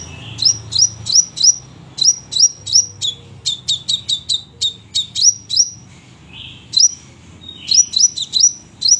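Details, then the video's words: Crimson sunbird singing briskly: clusters of sharp, high upslurred chirps and tweets in quick bursts, a short pause midway, then more rising notes; clean recording with a faint low hum. "sepah raja gacor tembakan rapet"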